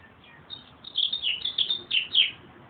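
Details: Meadowlark singing a short phrase of clear, slurred whistled notes, several bright descending slides in quick succession, with a faint background hiss and no other birds evident.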